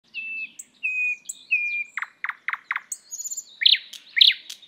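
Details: Thrush nightingale (Luscinia luscinia) singing: drawn-out level whistled notes, then four loud dry clacking notes in quick succession, followed by high buzzy trills and harsh, emphatic notes.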